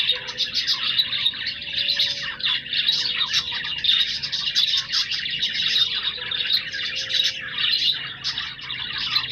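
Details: Australian budgerigars kept as pets give a dense, continuous warbling chatter of high chirps and squeaky notes, overlapping without pause, with a faint steady low hum behind.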